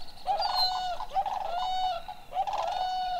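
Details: Introduced Whooping Crane flock at Necedah National Wildlife Refuge, Wisconsin, on a late-May 2019 evening, competing with Sandhill Cranes, filmed with a Panasonic GH5. Three extremely loud, trumpeting, rich harmonic calls follow each other within about three seconds.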